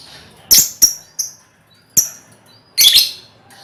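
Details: Chorus of a lovebird colony, a recording meant to draw out ngekek trilling: loud, piercing high chirps in quick pairs, then a harsher double burst after a short pause.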